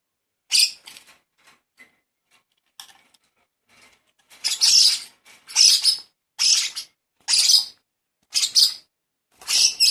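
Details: Lovebird chick begging during hand-feeding: a few sharp scratchy notes, then a steady series of harsh hissing squawks about once a second.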